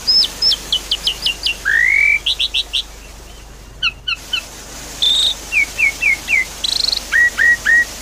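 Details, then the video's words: Javan pied starling song used as a lure for a bird that has gone quiet. Rapid varied whistling: repeated high downslurs, a long rising whistle, clipped chirp series and falling notes, over a constant hiss like running water. "Therapy Pancingan Jalak Suren Macet Bunyi"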